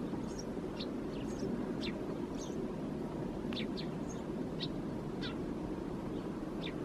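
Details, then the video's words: Eurasian tree sparrow calling from deep in a thicket, Helsinki, Finland, January 2022. It gives brief high chirps and ticks, about ten in seven seconds, scattered unevenly over a constant low-pitched background rumble. "Tree Sparrow perching in the thicket, vocalizing"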